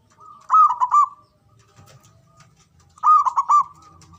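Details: Male local zebra dove giving its ngoar manggung call, used to stir mating arousal and fighting spirit: two loud rolling coo phrases of quick bubbling notes, each ending in a held tone, about two and a half seconds apart.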